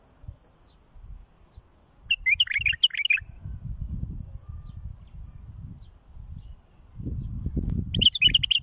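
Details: Bulbul singing, meant for tutoring and fledging chicks: a lively phrase of quick chattering notes, a few faint high ticks, then a second phrase begins near the end, all over soft low rumbling.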